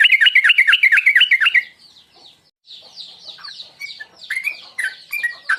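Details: Sooty-headed bulbul 'tuklik tuklik ngingklong' lure call used to provoke singing: opens with a rapid, rolling warble of repeated rising-falling notes, goes quiet, then returns with scattered clear chirps.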